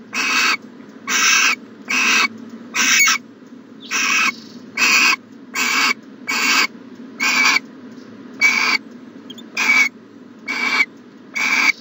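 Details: Owl calling from a nest box on a January morning in 2020, producing around thirteen evenly spaced, harsh breathy hisses, each under half a second, with a low hum throughout.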